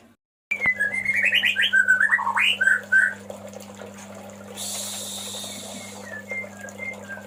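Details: Male White-rumped shama calling the female: a fast run of varied whistled and warbled notes for about two and a half seconds, some rising and some dropping, then fading to faint distant chirps over a steady low electrical hum.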